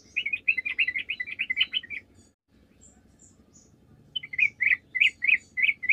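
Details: Energetic Sooty-headed bulbul song used as a lure for other bulbuls; a fast string of bubbling chirps for two seconds, a brief break, then evenly spaced bright notes, over a faint background rumble.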